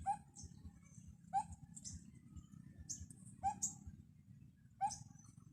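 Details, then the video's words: From the top of a tall tree, a bird gives clear, sharp rising notes, four in a row at uneven gaps of roughly one to two seconds, with faint higher chirps and a low rumbling background. "CUTE LITTLE BIRD CALLING"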